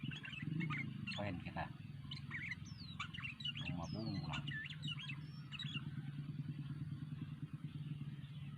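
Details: Sooty-headed bulbul in lively song: short bubbly whistled phrases with rising and falling notes around mid-high pitch, scattered over several seconds above steady low rumble like traffic, with faint voices in the background.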